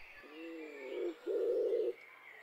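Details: Common wood pigeon (Columba palumbus), coo.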